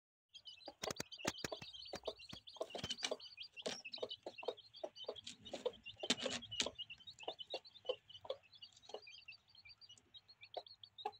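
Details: Two old hens, aged 8 and 11, rearing chicks: continuous high peeping of chicks fills the scene, mixed with short low hen clucks and sharp knocking or pecking sounds scattered throughout.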